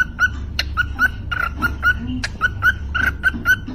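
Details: A pet parrot sings a "Happy New Year" tune, whistling short, clear mid-pitched notes, about a dozen in under four seconds, over a low background rumble.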